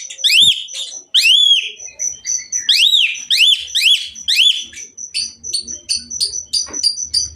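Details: Asian pied myna pouring out loud arched whistles in a fast series, followed by rapid high, short repeated notes and chatter, with a faint low rumble at the end.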